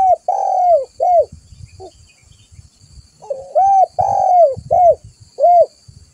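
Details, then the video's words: Luring call of a spotted dove for drawing other doves near: series of hollow coos, long downward-slurred notes mixed with short arched ones, in two bursts with soft low thumps between. "Suara pikat burung tekukur"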